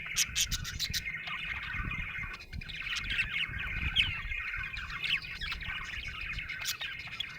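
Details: Budgerigar in a happy mood: opens with a quick series of sharp clicking chirps, then runs into dense chattering warble with squeaky notes, over a soft low rumble.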